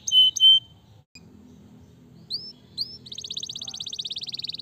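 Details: Canary song intended to stimulate lazy canaries: two short whistles, a quiet gap, two rising slurs, then a fast buzzy rattling trill.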